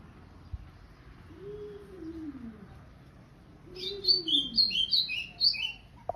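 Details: Ultramarine grosbeak singing a quick warbled phrase of bright, rapidly alternating high notes near the end. It is preceded by two slow, low, falling slurred tones, with faint background hiss.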